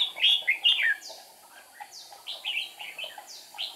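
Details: Decoy red-whiskered bulbul used for trapping wild birds on 8 April 2019, singing to provoke rivals: bright, warbling whistled phrases repeated in quick bursts, then softer scattered chirps with faint background chatter.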